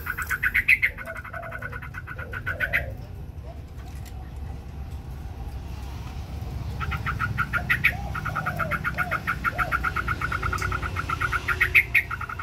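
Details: White Chinese hwamei in a song contest with wings spread: fast regular trains of clipped notes, a quieter stretch midway with soft low phrases, then long rapid repeated series resuming.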